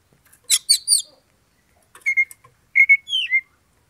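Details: Kacer, the Oriental magpie-robin, in a fighting-lure recording meant to stir a rival's anger. Three quick scratchy chirps open the phrase. A pause follows, then short clear whistles and a downward-slurred whistled note.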